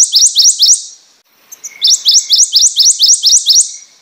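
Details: Prothonotary warbler repeating a bright, rising sweet note in quick succession. A short silent break follows, then a longer series of identical ringing notes.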